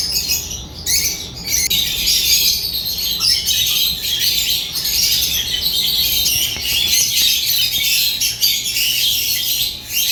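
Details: Chorus of African lovebirds singing and chirping nonstop, a thick wash of shrill squeaks, twitters and harsh squawks lasting the whole stretch with only brief dips.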